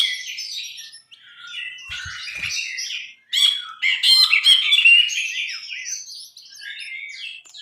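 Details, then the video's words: Brinji bulbul in full, vigorous song: a continuous jumble of scratchy warbles, chirps and buzzy notes that grows louder and denser midway, with a few faint low knocks. "MASTERAN BRINJI GACOR"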